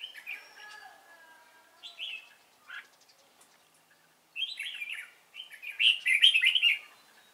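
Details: Red-whiskered bulbul of the 'Cánh ruồi' kind, praised for its voice, heard during trapping on 3 March 2017; scattered bright chirps, then two loud bouts of fast, jumbled warbled notes, the last the richest.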